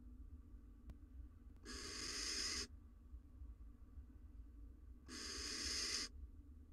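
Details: On a live nest camera, a barn owl female sitting on her eggs after a quick meal utters two drawn-out, harsh hissing rasps about three seconds apart, with a faint click and steady low hum between.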